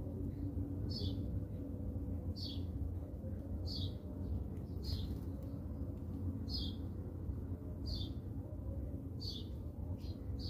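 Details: House sparrows feeding in South Africa: a steady series of bright, slurred chirps, about eight, each roughly one to one and a half seconds apart, over a constant low rumbling background.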